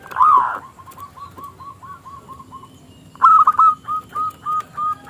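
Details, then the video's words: Local Indonesian zebra dove with a small, crystal-toned voice, singing to lure rival doves into song: a loud opening coo, then soft, evenly spaced notes, followed by a louder burst of clipped, repeated coos. "Perkutut Lokal Gacor suara KECIL Kristal AHLINYA untuk pancingan perkutut lawan MANGGUNG"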